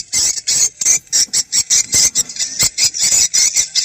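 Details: Swiftlet lure sound for testing a location, played in the morning or evening: evenly spaced bursts of shrill, high twittering, about four per second, each separated by a short silence.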